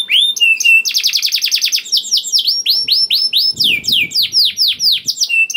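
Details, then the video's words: {'caption': 'Canary song played to trigger singing in other canaries: a flat whistled note, a rapid rolling trill, then a long series of clear down-slurred whistles repeated about three per second.'} "PANCINGAN KENARI GACOR DOR NGEREK PANJANG INI AMPUH BIKIN KENARI LAIN BUNYI"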